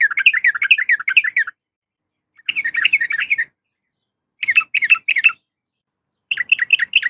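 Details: Female yellow-vented bulbul calling to a male, four bursts of lively, bubbling chirps with a bright, ringing quality, each lasting one to one and a half seconds, separated by brief silences.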